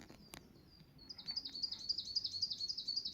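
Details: Wild bird singing in the low mountains of Saitama, Japan: after a faint opening chirp, a rapid series of high, thin notes repeated about four times a second, steady and slightly descending, over quiet forest background.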